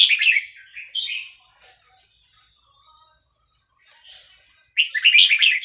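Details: Vietnamese red-whiskered bulbul in a cage sings along, roused by a played recording of hatched chicks. Bright, warbled chirp bursts open and close the passage, with a thin high tone and quieter notes between.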